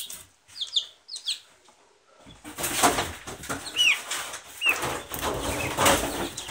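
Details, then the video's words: Silkie chicken chicks give a few high, thin peeps sliding downward during the first two seconds. Loud rustling and flapping noise then takes over, with two more brief peeps cutting through it. "Цыплята шелковые"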